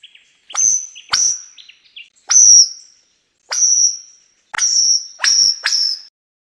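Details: A Superb Lyrebird of New South Wales, Queensland and Tasmania, Australia, gives loud, ringing high whistles with sharp, snapping starts, about seven notes in quick, uneven succession, the last few close together.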